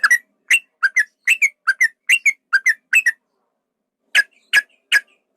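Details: Yellow-vented bulbul giving a long rattling fighting song, used as a lure to make other bulbuls sing and get agitated. Bubbly, liquid two-note phrases tumble rapidly for three seconds, then a pause, then four louder, rougher notes.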